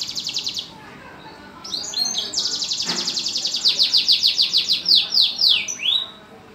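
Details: Caged canary, kept in a lovebird cage, singing vigorously: a brief high trill, a pause, then rapid repeated sweeping notes that build into loud, fast, descending whistled slurs, roughly three per second.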